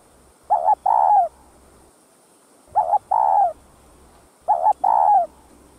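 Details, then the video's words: Spotted dove cooing to stimulate other kept doves to sing, a full set of calling, urging and soft cooing styles: three low two-part phrases, a short doubled note then a longer falling coo, about every two seconds over a faint high whine. "CHIM CU GÁY Giọng Hấp Dẫn ĐỦ BÀI [GÁY GỌI,THÚC,GÙ ]Kích Bổi Nhanh Nổi"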